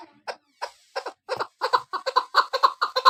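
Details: Female Chukar partridge kept as a hunting decoy, giving a series of clucking chuck notes that start sparse and quicken, growing louder and more tightly packed toward the end, about four notes per second.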